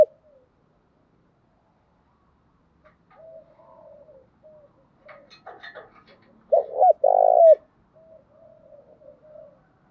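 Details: Spotted dove hen calling as a decoy for male doves in the thúc gù and gáy gọi styles: soft, scattered low coos and a few clicks, then one loud burst of three rich coos near the end.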